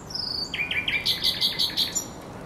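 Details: Thrush nightingale at the Żerań Canal, 24 April 2022, giving a quick rattle of high notes, then a rhythmic train of about ten strong, repeated metallic strokes, steady and loud.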